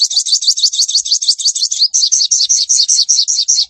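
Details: Sogon chattering, the crecetan type used to make other sogon sing: an unbroken rapid high-pitched trill of sharp repeated notes, very even and fast.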